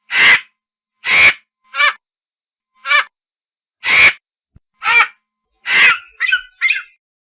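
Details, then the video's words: Vulture, described as screeching while circling overhead, utters a series of loud raspy croaking calls spaced about a second apart, then faster, broken, gurgling notes toward the end, with a quiet background. "VULTURE SOUND"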